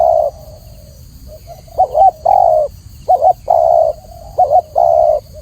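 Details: Tekukur, the spotted dove, cooing clearly: short trilled notes leading into long steady hollow coos, phrases repeated every second or so after a brief pause, low hiss underneath.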